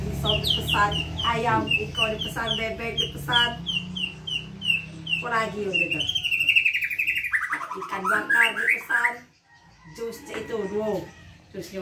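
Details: White-rumped shama in 'pastol' style, given as a tutor song for young birds: a busy medley of high chirps, trills and repeated slurred whistles, then a long falling warbled phrase, with a low hum underneath in the first half.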